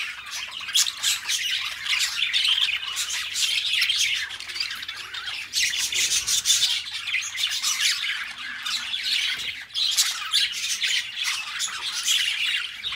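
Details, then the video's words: Pet budgerigars, a pair of companion birds, keep up a constant scratchy warble of squawks, chirps and twittering notes, high-pitched and densely layered without pause. "Relaxing Budgie Sounds | Birds Sing You to Sleep Peacefully"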